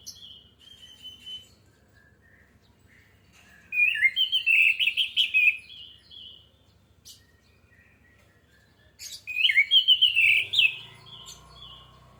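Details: Orange-headed thrush song as a lure to trigger singing: two loud outbursts of fast twittering warbles separated by several seconds of quiet, with faint low noise toward the end.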